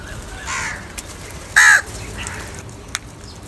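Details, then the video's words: Angry crow calling while fighting for food: one loud, harsh caw stands out, preceded by a fainter rasping call, with a few sharp clicks and quiet background hiss. "Angry kauwa ki awaaz | Crow bird Fight for Food"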